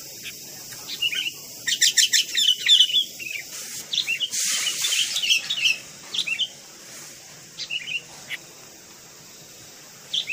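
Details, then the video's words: Sooty-headed bulbul kept as a pet, hand-raised from young and now tame, gives short whistled notes and a quick chattering run. A soft rustling noise passes midway, and scattered chirps follow with pauses between them. "SUARA BURUNG KUTILANG"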